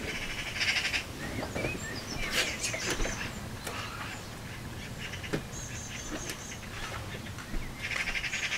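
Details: Magpies fighting around their nest at the bottom of a garden: harsh, rasping chatter bursts come in short clusters spread through the recording, with faint whistles from other birds and steady background hiss.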